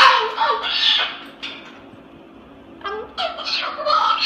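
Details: Male Moluccan cockatoo kept indoors, vocalizing late at night in a dark room. It produces raspy, speech-like mutterings and squawky phrases in bursts, with a quieter lull in the middle before a renewed run of gravelly syllables.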